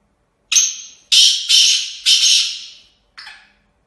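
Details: Kala tetar (black francolin), a kept bird. The call opens with a thin high note and runs into three loud, scratchy, grating phrases about half a second each, with a short harsh note at the end. No other sounds are heard.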